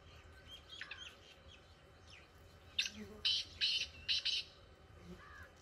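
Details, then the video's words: In village fields, a black francolin gives a harsh phrase of about six rasping notes, the last ones paired, after quieter chirping from other birds over low background noise. "Kala teetar ki awaz"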